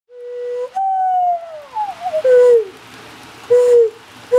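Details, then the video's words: Mourning dove perched on a branch near a window after coming from feeders, responding to a person's calls: a steady low whistled note jumps higher, then glides slowly downward, followed by shorter soft hooting notes. "A conversation with a Mourning Dove"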